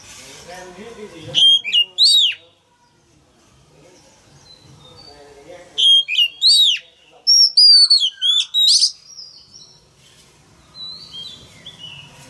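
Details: Loud song of a male Oriental magpie-robin, meant to spur young birds into singing along. Clusters of ringing, down-slurred whistles come in three bursts separated by quiet gaps, with faint background murmur.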